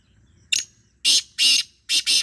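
A black francolin gives a harsh, grating phrase: a short clipped note, then two loud rasping notes and a quick double at the end, all within two seconds.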